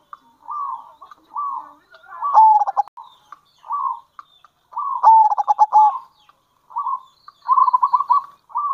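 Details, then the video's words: Local zebra dove used as a lure call, bursts of quick staccato 'kerot' notes and rolling 'bekur' coos, each phrase about a second long with short pauses, clean and without other sounds. "Panggilan Perkutut Lokal !! Perkutut Lokal Kerot Gacor Dan Bekur Ampuh Untuk Pancingan Perkutut"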